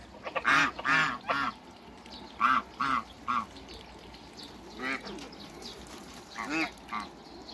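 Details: Hybrid Cayuga and Muscovy ducks calling in a backyard: a rapid run of three or four rasping quacks, a pause, then more spaced single and paired quacks fading slightly toward the end.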